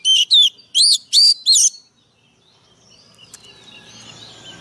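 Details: Fired-up Oriental magpie-robin, kept as a decoy bird, delivers five quick, loud, looping whistled notes in a row, then falls silent while faint distant chirps and soft background noise continue.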